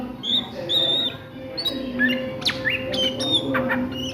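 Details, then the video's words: Oriental magpie-robin (kacer) singing in ngriwik style at midday: clear high whistled notes held briefly, a sharp upward sweep, then quick bright chirps and twittering phrases, over a steady low hum throughout. "SUARA KACER NGRIWIK DISIANG HARI"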